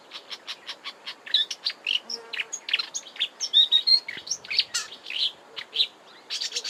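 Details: Marsh warbler song recorded in March 2020 at Kap River Nature Reserve, Eastern Cape, South Africa. It begins with a string of repeated clicky notes, then a dense, fast medley of high whistles and buzzes with mimicry.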